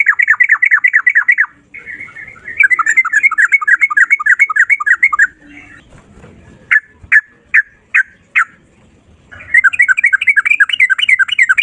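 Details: Sooty-headed bulbul singing in fast continuous ropel style with long unbroken phrases: rapid runs of sharp chattering notes, a short pause, five loud separate chips, then another quick chattering burst.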